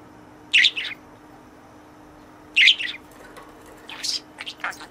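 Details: Pet budgerigar in a cage addressing its toy companion while playing: two sharp, bright chirps about two seconds apart, then a run of softer, scratchy chattering notes.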